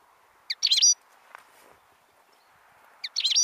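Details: European goldfinch recorded on 25 October 2013: two short bursts of bright twittering, tinkling notes about two and a half seconds apart, over a steady low background hum.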